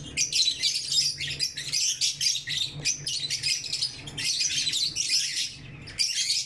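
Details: Lovebirds chirping in the morning, a busy overlapping chatter of high, scratchy twittering notes in rapid bursts with brief pauses, over a low indoor hum.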